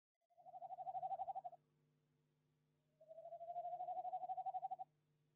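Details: Tawny owl inspecting a nest box at De Mortel, Netherlands, in January 2021, giving two long, even, low trills of rapidly pulsed notes, about four pulses per second, with a steady faint hum behind.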